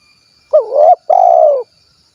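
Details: A two-phrase coo from a spotted dove ('kuk 1' style, Cilacap, Central Java). The first phrase dips and climbs with a wobble, and the second is a long, even, vibrating hoot that tails downward. Otherwise quiet.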